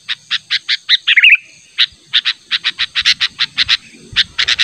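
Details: Sooty-headed bulbul calling hard at a rival for bird luring: a quick whistled twitter near the start, then a long train of rough, buzzy notes at a fairly even pace.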